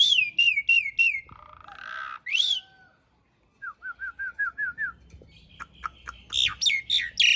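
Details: Asian pied starling master song for cage-bird training in coarse-filled long-roll style: repeated descending whistles, a low harsh churr, a short pause, then a quick series of seven short notes and mixed chirps.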